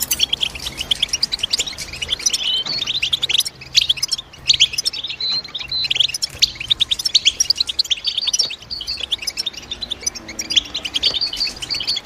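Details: European goldfinch chirping in a dense, continuous twitter of quick high notes with liquid trills, tumbling without pause; a few louder sharp chips stand out, with a faint low hum underneath.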